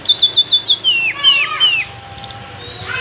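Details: Oriental magpie-robin (kacer) in full song as it spreads its tail: five quick identical high whistled notes, then several long downward-slurred whistles, ending in faint buzzy ticks.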